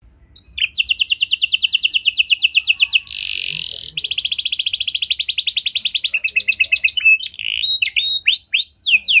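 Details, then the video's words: Canary song used as a lure to prompt other canaries to sing: long, rapid high trills, a harsh buzzy burst in the middle, another extended trill, then varied chirps and quick upward sweeps. "Pancingan Suara Burung Kenari Lagu Unik! Buat Kenari Mana Saja Pasti Ikut Bunyi"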